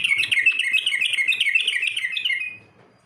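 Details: Yellow-vented bulbul competition song used as training material: a fast, bubbly run of warbled notes tumbling in quick succession for about two and a half seconds, then fading out, over a quiet background.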